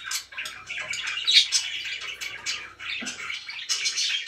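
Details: Pet budgies chattering in short bursts of scratchy warbling and squeaky chirps, with a low thud about three seconds in.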